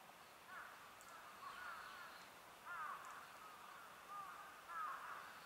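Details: Japanese grosbeaks, recorded 7 March 2020, give clear, fluty whistled notes in short bursts every second or so, some sliding down, over a busy murmur of flock chatter.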